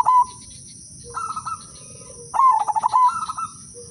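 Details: Zebra dove of the udanmas silver type, a melodious lure song meant to set other doves singing: short cooing bursts with rapid pulsed notes, a longer stuttering coo phrase after two seconds, faint lower notes between, steady high hum behind.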